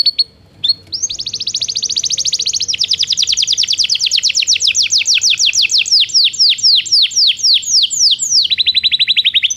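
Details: Belgian canary song used to train canaries that do not sing. A long, bright, high trill of rapid downslurred notes speeds up, then slows into steady repeated sweeps before ending in a lower, faster roll.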